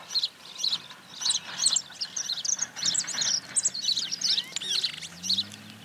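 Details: Brown-chested martin recorded in Santa Fe, Argentina, in 2023. It gives a rapid, high twittering chatter of short buzzy chirps, closely packed and uneven, over a quiet low background.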